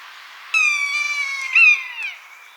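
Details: Buzzard in natural habitat giving a prolonged, cat-like mewing cry of about one and a half seconds. The pitch is level, rises briefly near the end, then slides down as the call fades.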